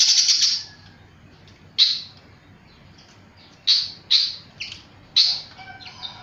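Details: Flycatcher singing very actively: a burst of high notes, then isolated loud, sharp descending notes separated by quiet gaps, with some faint twittering over light background noise.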